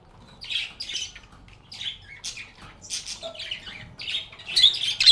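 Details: Lovebirds singing and playing: a run of loud, rasping, high squawks about twice a second, uneven in spacing and growing louder toward the end, against a quiet background.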